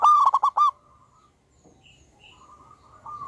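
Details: Local zebra dove lure bird, loud and vocal: one rapid phrase of four or five short bright coos ends a sequence, followed by soft quiet cooing and a couple of faint high chips.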